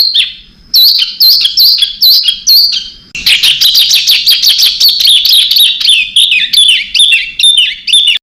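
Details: Master birdsong for teaching contest birds varied fill; loud, rich warbling of looping whistled notes, falling and rising, delivered in quick succession after a few spaced opening phrases.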